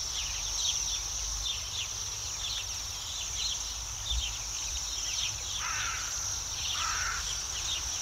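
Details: Bohemian waxwings, a flock perched high in a tree in Yekaterinburg in spring, resting after feeding on rowan and hawthorn berries; a continuous high, thin sibilant trilling from many birds, with scattered chirps and a few lower calls from another bird.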